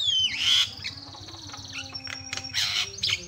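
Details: Javan myna training song, described as varied. A loud harsh squawk opens the passage, then long thin whistled tones, another rasping burst near the end and a faint low hum.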